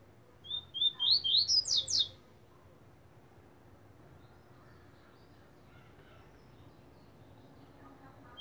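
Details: Caged pet coleiro singing a brief burst of high, rising whistled notes that quicken into a rapid series of sharp upslurred strokes, lasting about a second and a half before quiet with faint hum.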